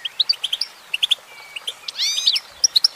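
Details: Singing female goldfinch: isolated high chips, then a brief buzzy, sweeping phrase before the crisp notes return.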